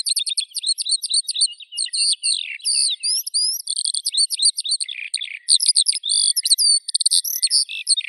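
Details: Eurasian skylark song: a long, unbroken warbling torrent of high twittering notes, rapid slurred chirps and fast trills, with barely any pause over eight seconds.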